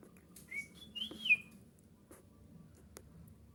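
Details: Golden kutilang bulbul song used as a lure to make other bulbuls answer; a short whistled phrase sliding up and then down, with a few faint clicks and rustles afterwards.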